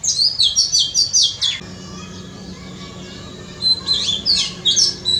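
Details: Oriental magpie-robin singing in a front yard: a quick run of high, sweet, varied whistled notes, a pause filled with a low steady hum, then another burst of thin, bright phrases.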